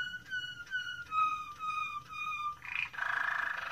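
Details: Moroccan Malinois canary song: a series of six pure whistled notes, each slightly lower than the last, followed by a short buzzy note and a fast bubbling roll.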